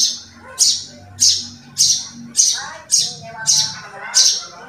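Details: Javan bushlark from a 2022 set of tutor recordings for kept birds: loud, high, sharp notes repeated roughly every 0.6 seconds, with faint low murmuring behind them.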